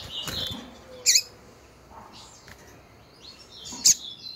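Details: Female Double-collared Seedeater giving calls meant to excite males: two loud, crisp chips nearly three seconds apart, with faint high twittering and light clicks between them.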